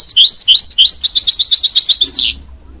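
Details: Goldfinch mule, a hybrid of goldfinch and canary, delivers a fast series of repeated twittering notes, about eight per second, ending in a rising buzzy sweep.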